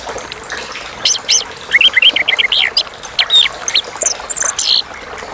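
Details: Chestnut-capped thrush (Geokichla interpres) sings a quick, varied run of clear, high whistles and chirps in short bursts, with a faint trickling background.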